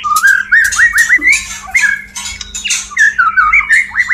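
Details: Male white-rumped shama (murai batu) courting a female during mating: harsh, rasping bursts alternate rapidly with short slurred mid-pitched whistled notes, some rising, in a dense chattering run, over a faint steady low hum.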